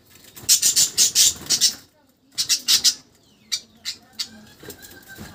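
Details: Budgerigar; chirping; contentment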